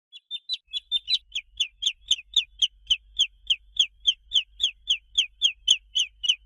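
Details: Chick peeping steadily: clear, high, downward-slurred peeps repeated about three or four times a second, fairly even in loudness, with a faint low rumble underneath.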